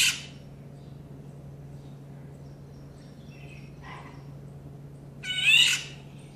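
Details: Female Indian golden oriole giving one of its different call types: faint short notes, then a single loud, harsh, nasal burst near the end, over a steady low hum.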